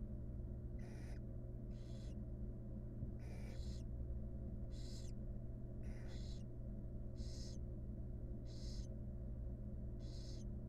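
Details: Wild barn owl mother grooming her young in a monitored nest box; drawn-out rasping hisses, about eight in ten seconds, evenly spaced, over a constant low hum.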